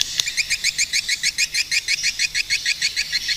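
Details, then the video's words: Swiftlet calling with a rapid series of high, sharp chirps, about three per second, each a bright double note, steady and evenly spaced throughout with no other sounds. "Swiftlet bird sound🔊100% | ឡេងសត្វ ត្រចៀកកាំ យំលឺច្បាស់ល្អណាស់🔊100%"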